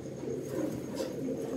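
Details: Racing pigeons in a loft during summer breeding preparation, giving continuous low rolling coos that pulse and overlap throughout, with a faint steady hum behind.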